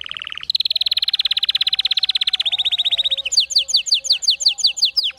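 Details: A canary sings as a tutor for silent or weak-voiced canaries: a short low buzz, then a long, rolling, rapid trill that slows slightly, followed by a series of crisp descending whistled notes.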